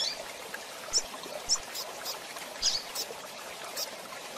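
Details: Male and female double-collared seedeaters (coleiro pardo) give thin, high, short chirps at uneven intervals, about one each second, over a steady hiss like running water.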